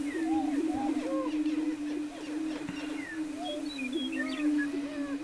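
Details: Greater prairie-chickens displaying on a lek near Wray, Colorado, on April 17, 2011: a steady low droning hum runs throughout, overlaid by many short whooping, rising and falling cackles and squeals from several birds at once.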